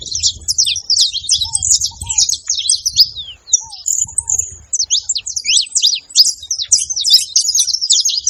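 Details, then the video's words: Several saffron finches together making noise: a dense, continuous chatter of sharp, high chirps and buzzy twitters overlapping throughout, with a few soft, lower arched whistled notes from another bird around two and four seconds and faint low rumble. "canário da terra junto fazendo barulho"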